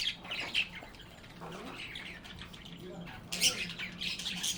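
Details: Cheerful budgerigars chatting with one another: bursts of scratchy, high chirps at the start and again near the end, separated by a quieter stretch with a faint low hum.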